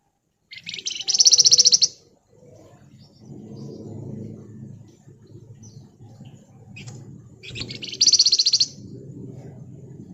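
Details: Flamboyan giving its ngebren song twice, about six seconds apart: each time a loud, tight burst of rapid high buzzy pulses lasting about a second, between stretches of low rumbling background noise.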